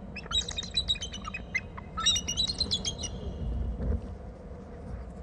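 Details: Bald eagle at its nest territory on Hornby Island, with a second eagle present and lots of calling. Two bursts of rapid, high, piping chitter notes, each lasting about a second, over a low background rumble.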